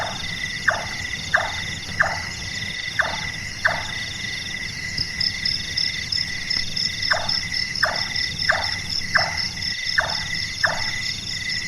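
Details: Large-tailed nightjar (burung tukang), a night-active bird whose call is likened to a carpenter at work: a run of five sharp, falling knocking notes about 0.65 seconds apart, a pause, then six more, over a steady shrill insect chorus.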